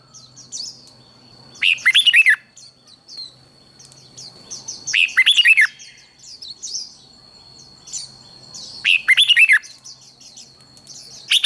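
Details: Red-whiskered bulbul contest song for training birds: three short bursts of loud, fluty, falling notes spaced about three to four seconds apart, between scattered soft high chirps from other birds and a constant thin whine.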